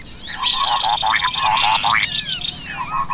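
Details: Lure recording of cucak kopi bulbul with other small birds: dense chorus of bright chirps, trills and rising whistles, calling without pause over a steady high hiss.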